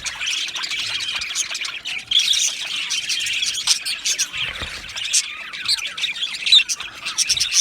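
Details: Australian budgerigars in an aviary colony chattering loudly: dense, scratchy high chirps and warbles with frequent shrill squeaks, swelling and dipping but never stopping.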